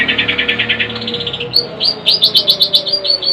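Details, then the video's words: Long-tailed shrike, a household pet, giving rapid repeated chattering notes, first a quick buzzy run, then a series of clear upswept high chirps, steady and fast. "Burung cendet"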